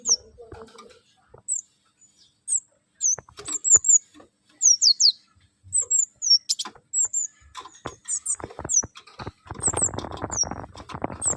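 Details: A bird sings select phrases meant for teaching other birds. Sharp, high down-slurred whistles and chirps come in rapid bursts of two or three, with clicks between them, and a broad rustling noise rises near the end.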